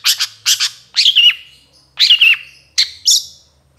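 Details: Long-tailed Shrike (cendet trotol) used as a training recording for other birds: paired scratchy notes, then twisting down-slurred whistles and a final high chirp, with gaps between phrases and a faint low hum.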